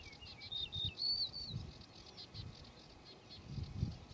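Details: Male yellow-breasted bunting singing one short phrase of ringing flute-like whistles, stepping down and then up in pitch, followed by a soft high twittering background and low rustling sounds.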